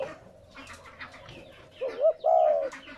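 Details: Spotted dove coo used to stimulate newly caught doves to coo: after a stretch of faint chirping from other small birds, two quick rising notes lead into one long, low, slightly falling coo near the end.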